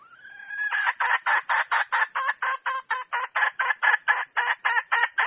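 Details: A wild red junglefowl hen starts with a short rising tonal note, then gives a loud series of evenly spaced, harsh clucks, around three per second, continuing to the end.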